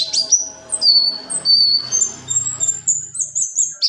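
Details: Buxtoni white-eye in ngalas ngerol rolling song for bird training: thin, drawn-out high whistles and short sharp chips over a noisier, murmuring background.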